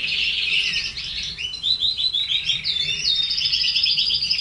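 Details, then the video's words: Caged red canaries with a bright, rapid warbling song, fast repeated trill notes rising into a clear whistled run near the end. "Canary sings"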